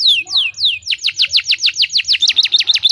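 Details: Canary song played to spur other canaries into singing: a few slow descending whistled sweeps, then a rapid run of repeated downslurred notes speeding into a fast trill, with faint low background hum.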